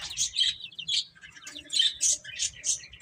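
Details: Baby chickens eating and playing, giving a flurry of high, sharp chirps in short overlapping bursts, several louder peeps standing out near the end.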